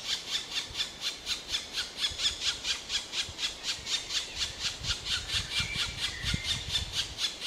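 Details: Long run of squealing, raspy black woodpecker notes, about two per second, with slight low rumbling underneath in the second half.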